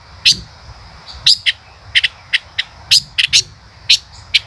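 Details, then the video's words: Male five-coloured bird (chim ngũ sắc) in 'chế cựa hai' song: bright, very high chips given singly or in quick pairs at uneven intervals, roughly one a second, with a low background hum. "tiếng chim ngũ sắc hót - chim ngũ sắc trống hót chế cựa hai"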